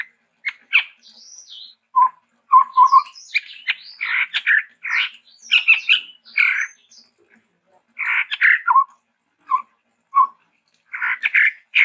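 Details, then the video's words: Chestnut-rumped babbler, endemic to Sumatra, in a looser varied passage: scattered harsh notes, low short whistled bursts and chattering phrases with gaps of silence between them. "TEPUS TUNGGIR MERAH GACOR VARIASI"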